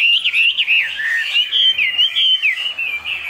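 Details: Chinese hwamei kept as a caged songbird in Vietnam, delivering 'cao cầu' high song: fluid, looping whistled phrases that rise and fall in smooth slurs, run together without a break.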